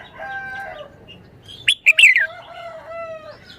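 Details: Caged red-whiskered bulbul in Thailand sings a sharp three-part whistled phrase that slurs downward, between long, steady tonal whistles from other birds before and after.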